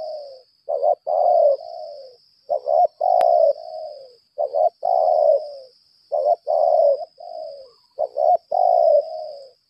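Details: Lambung kuk decoy spotted dove calling at length in challenge: a steady run of coo phrases, each two short notes then a long falling coo, about every two seconds, over a continuous high whine.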